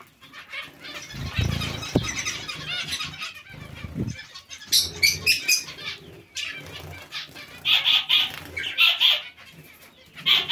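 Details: Zebra finches in a colony shared with other small finches, giving short nasal, buzzy calls repeated in clusters, loudest near the end, over fluttering wings, scattered chirps and low bumping noises.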